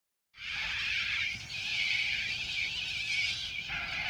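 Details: A cockatoo at Ramsgate Beach, southern Sydney, New South Wales, Australia, gives one long, harsh, raspy screech lasting nearly four seconds, with slight breaks in tone partway through; nothing else is heard.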